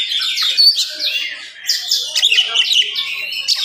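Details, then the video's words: Oriental magpie-robin in full morning song, delivered fast and dense to stir up other magpie-robins: rich whistled and buzzy phrases running almost without pause, bright notes climbing and falling in quick succession. "SUARA KACER GACOR DIPAGI HARI SPEED RAPAT cocok untuk naikin emosi kacer yang dengar"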